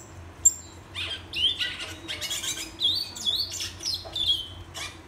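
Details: A Black-and-white seedeater whistles a fast, continuous string of high slurred and buzzy notes, some falling, some flattening, with a faint low hum underneath.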